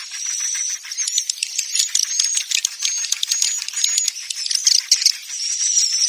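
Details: Swiftlet calls played to attract birds to a nesting house: continuous dry rattling clicks blended with high thin whistled notes, rapid and uneven, forming a steady buzzing chatter with no pauses.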